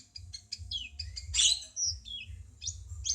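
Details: Cucak cungkok bulbul singing on a songbird training track: a stream of quick high chirps leading to a loud scratchy burst, followed by rising and falling whistled slurs, with a low murmur beneath.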